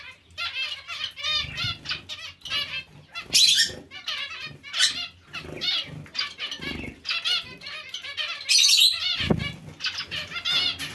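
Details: A colony of captive zebra finches and other small finches chatters constantly with short nasal, buzzy beeps and twittering chirps overlapping from many birds, broken by bursts of fluttering wings.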